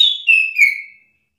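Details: Agitated orange-headed thrush replying in a song exchange: one clear whistled phrase stepping down through three sliding notes, fading out after about a second, with no other sounds.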